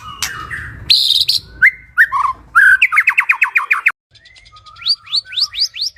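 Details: Bird chirps for stress relief: mixed whistles and squeaks, then a fast series of repeated sharp notes, a brief cut, and a run of rising, upward-swept chirps spaced about half a second apart.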